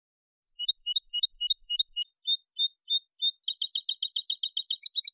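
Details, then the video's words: Caged European goldfinch song used as a clean training recording for singing contests, Malaga copy style: rapid high twittering notes, then a fast run of repeated identical chips in a steady trill, clean with no other sounds. "CD COPIA JILGUERO CANTE LIMPIO PARA CONCURSO"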